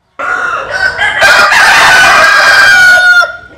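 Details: Rooster crowing, Vietnamese or Sil breed: one extended raucous call building in strength and held steadily for about three seconds before fading.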